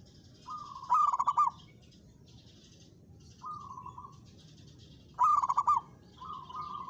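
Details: Local zebra dove in full song, challenging a rival that sings back. Loud rolling, trilled coo phrases come about every four seconds, each answered by a softer, even, purring phrase. The background is quiet.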